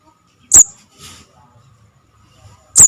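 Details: Young Javan cuckoo calling, a sound used to lure birds into traps: two piercing, thin chirps about two seconds apart, a softer hiss between them, otherwise quiet.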